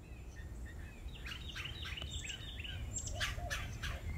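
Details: A Red-bellied Woodpecker in a Texas Gulf Coast backyard butterfly garden at early morning sunrise gives a quick run of short, sharp clucking chirp notes over a low, steady background rumble.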